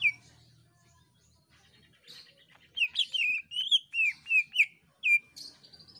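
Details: Cucak ijo, the greater green leafbird, in chattering song meant to set other birds singing: after a faint start, loud slurred whistles and scratchy notes come in an uneven burst, ending with a high trilled tail.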